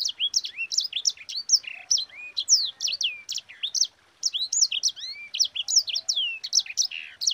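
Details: Energetic sanger song, the kind kept to train and provoke other birds: quick high chirps and downward-curving whistled notes in continuous bursts with a brief pause near the middle.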